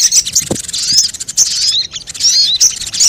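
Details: Sogon as a lure for wild birds: continuous high, squeaky chatter with rising and falling whistled slurs, plus a soft low knock near the start.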